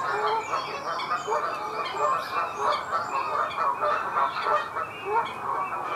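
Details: Two Canada geese at the Disselmersch nature reserve near Lippborg, 23 February 2019 at 07:30, heard amid a dense, continuous background of honking and gabbling geese.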